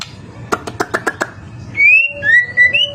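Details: White-rumped shama singing to provoke other shamas into answering: a rapid run of six hard clicks, then pure whistled notes sliding up and down over a faint steady hum.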